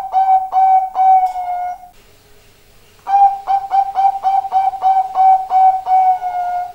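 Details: Zebra dove giving a deep, full-toned song: a few long, clear whistled coos, a one-second pause, then a fast run of about twelve short, even, flute-like notes.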